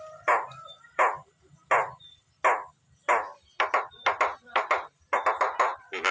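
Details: A Nias hill myna giving a funny, strange vocalisation: a long series of loud, harsh downward-sweeping squawks, first spaced about every 0.7 seconds, then coming faster in quick clusters.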